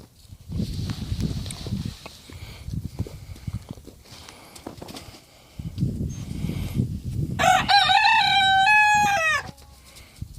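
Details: A rooster let out for the first time gives a single long, hoarse crow near the end, after a stretch of rustling and low handling noise.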